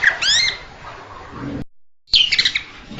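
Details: Blue-winged leafbird: a few bright, downslurred whistles open the recording, then a short silence, then a quick cluster of sharp chipping notes.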